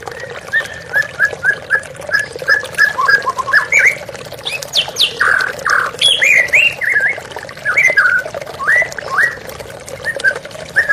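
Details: White-rumped shama in a therapy recording set to running water, said to restore a stressed bird that has stopped singing: varied whistled notes and harsh squawks in quick succession over a constant rushing-water background.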